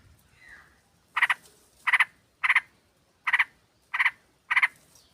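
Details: Female sooty-headed bulbul luring a male: six evenly spaced bursts of double or triple buzzy chatter notes, roughly every two-thirds of a second, after a faint softer note.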